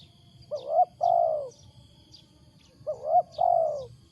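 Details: Loud wild spotted dove with an unusual coo: two phrases, each a quick upward hiccup then a sustained, gently falling low coo, about two and a half seconds apart, with faint high ticks behind.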